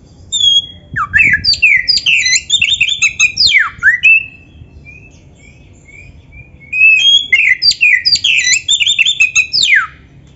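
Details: Kacer (Oriental magpie-robin) full-material masteran song for training birds: two long bursts of rich, rapid, varied phrases, with downslurred whistles, buzzy trills and chirps, separated by a quiet pause with a few thin whistles.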